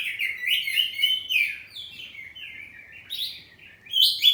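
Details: Captive oriental magpie-robin of the kacer poci type in ngeplong song, trading phrases: fast, varied warbling notes tumble in quick succession, fading briefly before loud upward whistled notes at the close.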